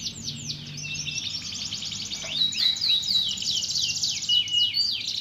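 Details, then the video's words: Canary song for provoking a quiet canary into singing: continuous rapid trills of descending high syllables, a few clear whistled tones near the end, faint low background hum. "Pancingan Burung Kenari Males Bunyi Agar Gacor Lagi"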